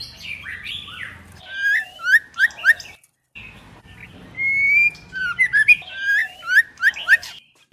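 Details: Female White-rumped shama song for stimulating males: varied whistled phrases and quick downslurred notes in two bursts, separated by a brief gap, with a faint low hum beneath.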